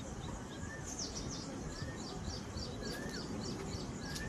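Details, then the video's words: Several birds calling together: rapid high chirps in loose runs, with occasional lower whistled notes, over a constant low rumble of environmental noise. "birds sound"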